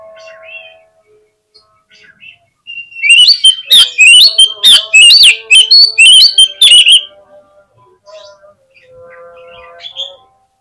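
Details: Lure song of an Oriental magpie-robin, meant to make other birds answer and spread their tails: soft scattered chirps, then four seconds of loud, rapid, twisting whistles and harsh notes, trailing back into quiet chirps over faint steady tones.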